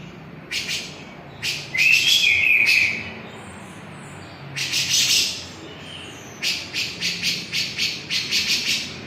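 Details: Javan grey-cheeked bulbul singing actively: short harsh rasping bursts, a brief wavering whistled phrase near two seconds, then a run of about eight quick scratchy notes toward the end.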